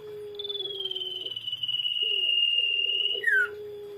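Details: Common iora singing actively, kept as a lure for other birds: one long, high, clear whistle held steady and slowly falling slightly, ending in a quick downward slur, over a steady low hum.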